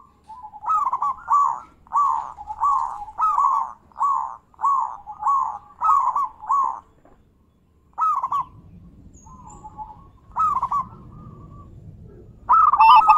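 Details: Zebra dove (perkutut) cooing as a lure to get other doves singing, varied in big-voice, bekur and crystal styles: about ten rolling, warbled coo phrases in quick succession, then a pause, one more phrase and a low rumbling background.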